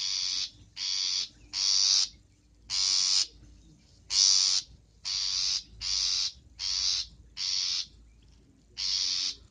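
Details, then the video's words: Long-tailed shrike used for luring gives a rapid series of grating, nasal rasps. About a dozen notes come in close succession, with slight variation in loudness. "Suara untuk pikat Pentet"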